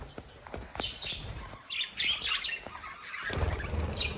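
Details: Lovebird chirps come as scattered squeaky notes and short shrill bursts, with a louder chattering run near 2 seconds and clicking, tapping sounds underneath.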